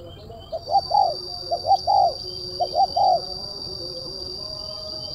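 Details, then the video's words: Tekukur (spotted dove), crisp and dense kuk 1 cooing used as a lure: three quick phrases of paired short notes and a longer coo, roughly one per second, with a quiet steady whine and faint background cooing. "DI JAMIN TURUN, TEKUKUR SUARA MERSIK TAJAM,RAPAT //KUK 1//THN 2024"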